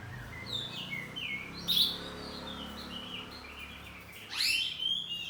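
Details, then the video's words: Home-kept oriental magpie-robin of the kacer poci type singing loudly in the ngeplong style, answering back and forth. Scattered whistled and slurred phrases, with a louder rising sweep near the end, over a low steady hum. "Kacer ngeplong saut2an || kacer poci rumahan || suara kacerpoci || burung kacer"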